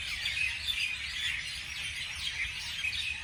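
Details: Morning birds chirping: a dense chorus of many small high-pitched chirps and twitters overlapping continuously, with a low background rumble.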